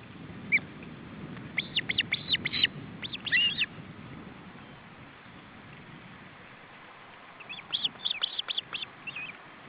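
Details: Osprey male attempting to feed chicks at the nest, July 2012: a lone chirp, then a fast rattle of sharp high whistles, a lull, and another long rapid series of clipped notes.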